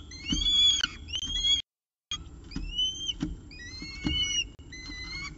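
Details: Morning at a peregrine falcon nest in Orange, 24 October 2018, with a pigeon as prey; repeated clear upslurred whistled squeals, about two per second, interrupted by a short break.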